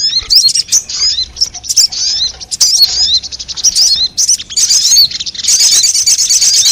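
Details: Shrill chirps and slurred high notes from a sogon (crimson sunbird) lure recording used on wild birds, growing into a steady, fizzing trill in the final second.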